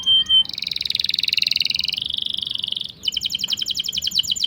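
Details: Canary singing a long rolling song meant as a tutor or lure for canaries that have stopped singing or for young birds: two short high notes, then a fast dry trill lasting over two seconds, dropping slightly, and a brighter rapid rattle.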